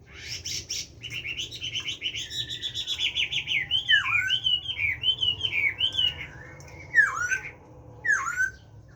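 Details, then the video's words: Caged Chinese hwamei singing in the forest-voice style: a rapid run of rich, buzzy warbles, then loud, clear whistles slurring downward, repeated roughly once a second, with a final pair of falling notes after a pause. "Họa Mi hót . tiếng chim họa mi hót giọng rừng nuôi"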